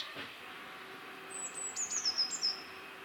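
A Eurasian Blue Tit gives a brief run of very high, thin notes that slide downward into a quick trill, over a steady background hiss.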